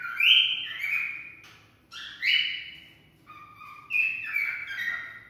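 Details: Cockatiel song to stimulate mating, three bright whistled phrases, each starting with an upward slide and tapering into a descending held tone, spaced about two seconds apart.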